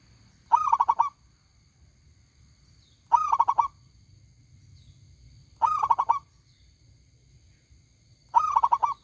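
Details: Loud, ringing local zebra dove singing steadily: four phrases, each a bright opening coo then a fast rolling string of pulsed notes, recurring about every two and a half seconds with low hum behind.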